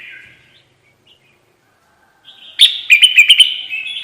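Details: Red-whiskered bulbul call played as a trapping lure: a buzzy, slurred note at the start, a pause, then a burst of sharp chirps running into a fast, rolling warble.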